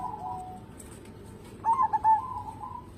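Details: Local zebra dove, singing readily and used as a lure to draw song from other birds; a faint low coo opens, then a loud stuttered burst of three or four notes fading into a softer trailing coo.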